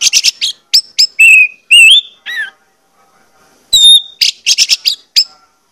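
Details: Orange-headed thrush song recorded as a lure to make birds sing: quick chirp clusters and wavering whistles, a silent pause, then a clear whistle and a fresh run of rapid chirps.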